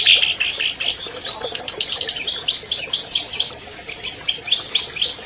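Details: Albino long-tailed shrike, a champion bird, its song used as a master recording to coax silent captive shrikes into singing: bright, high chirping notes in fast repeated bursts, some held as short ringing trills, with brief pauses between phrases.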